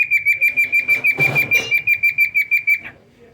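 A cockatiel whistles a fast, even string of clear, high notes on a single pitch.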